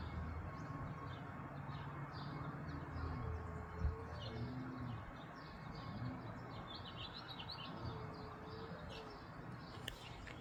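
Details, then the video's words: Male house finch copying the song of an American robin, giving soft bursts of rapid, high warbled notes, with pauses between bursts, over constant low background rumble and a faint hum. "is a #HouseFinch sings like a Robin"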